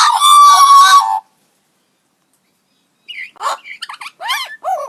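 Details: Magpie producing odd, robot-like noises: a loud, harsh, static-like burst with a steady tone inside it, then silence, followed by a string of short swooping whistles and chirps.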